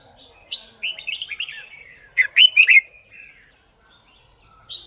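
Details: Red-whiskered bulbul competition song for song-learning training: a rambling quiet warble leads into a loud, rapid cluster of bright whistled notes, then fades out, with one more high note at the end.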